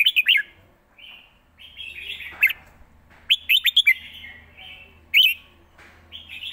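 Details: Caged red-whiskered bulbul singing in Thailand, described as fast-paced with good phrasing: bursts of bright, warbled whistled notes in quick clusters, alternating with softer buzzy trills, several loud phrases spaced a second or two apart over a low steady hum.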